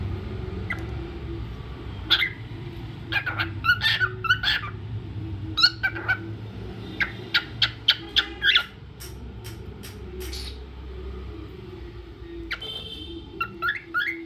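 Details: A pet cockatiel named Rio sings in bursts of bright, chirpy whistles and short warbling notes.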